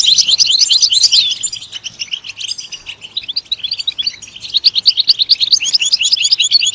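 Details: Energetic goldfinch song: a loud burst of tinkling twitters, a softer stretch of scattered notes, then fast chattering phrases returning strongly.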